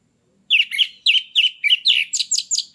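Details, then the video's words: Orange-headed thrush singing freely, used as a lure to bring stalled captive birds into breeding condition: about eight quick, similar chirping phrases in steady succession. "PANCINGAN ANIS MERAH YANG MACET BIAR CEPAT NAIK BIRAHINYA🔥ANIS MERAH GACOR NGEPLONG"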